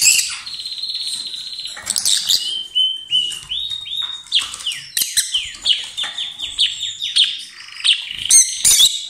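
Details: Lovebird pair exchanging kisses and possibly food, with strong loud song: a sustained buzzy note, then a lively string of shrill falling squeaks and chirps in quick, irregular succession, ending in a harsh burst.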